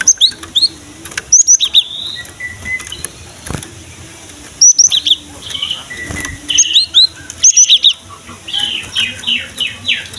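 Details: Cinereous tit (gelatik batu) in energetic song, played to lure young birds of its kind, male or female, into singing: sharp high two-note phrases in short bursts, mixed with softer chattering of other birds and faint background hum.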